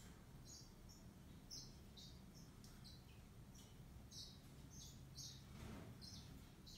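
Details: Yellow-fronted canary singing quietly: a loose series of high, clear chirps and short twittering bursts every half second or so, with a constant low background rumble.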